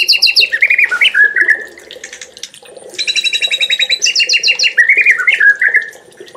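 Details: White-rumped shama (murai), a champion songbird on a 2021 masteran training track: varied whistled phrases, bright repeated notes and quick rising and falling slurs, then rapid trilled series, with no other clear sounds.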